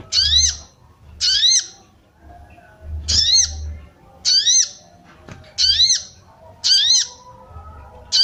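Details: Calling female sooty-headed bulbul, used to stir male birds into singing: repeated bright chirps with upswept overtones, roughly once per second, with soft low hum behind.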